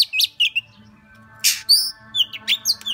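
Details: Oriental magpie-robin singing in the style called "múa 13 kiếm": sharp high whistled notes and slurred phrases broken by harsh broadband rasps, with a faint low hum underneath.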